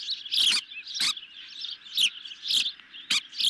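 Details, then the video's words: Osprey nest camera, evening feeding on a medium-sized fish, July 2021; high thin chirps repeated roughly twice a second, each paired with a sharp broadband click, about six in total. "Medium size fish for hungry Ospreys, tonight"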